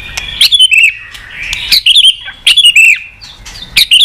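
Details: White-rumped shama singing in a varied training session, loud whistled phrases and sharp rising-falling notes broken by clicks, several bursts each about half a second long.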